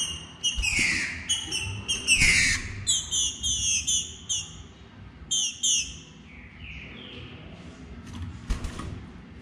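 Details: Calling softly and begging to mate, a female green-winged saltator utters sliding downward notes and clusters of sharp high chips, busy for the first six seconds, then fading to a few quieter notes and occasional knocks.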